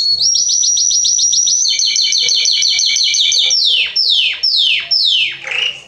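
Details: Belgian canary song opening with rapid repeated high notes that step up in pitch into a dense trill, then ending in several slow, long, downward-sliding sweeps.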